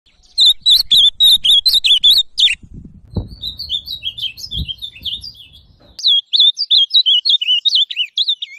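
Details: Ultramarine grosbeak (azulão) singing: rapid bursts of sweet, warbled whistles with many quick up-and-down notes, two long phrases separated by a pause with a few low thumps.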